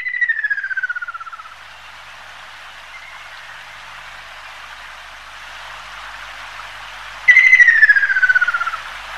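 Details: Ruddy kingfisher (Halcyon coromanda) giving two long, rattling whistled trills that slide steadily down in pitch, each about a second and a half, separated by a quiet pause.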